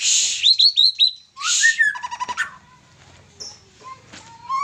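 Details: Young white-rumped shama giving a buzzy burst with a run of quick high whistles, then a rattling trill and lower whistles before trailing off into quieter notes.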